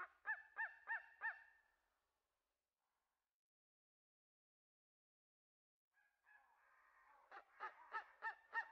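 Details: Steller's sea eagle calling: a fast run of four loud, harsh, barking notes, one every third of a second, then a pause of silence before a rising rasp and another quick string of harsh barks.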